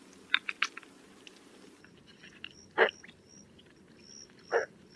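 Roseate spoonbill giving two short, harsh, guttural grunts about two seconds apart, after a quick run of dry clicks; faint high chirps in the background.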